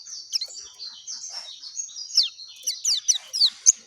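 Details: Clear natural song of a dakun oriental white-eye: a continuous, lively stream of high twittering notes, rapid downward-slurred chirps about four per second growing louder toward the end.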